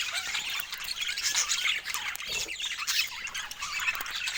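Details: Budgerigar chattering: a dense, continuous warble of squawks, chirps and scratchy notes with no pauses, suggesting several birds calling together.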